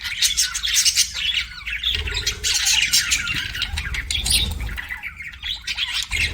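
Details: Chirping pet budgerigars in steady scratchy chatter with sharp squeaky notes, over a louder low rumbling background and a brief low hum near the middle.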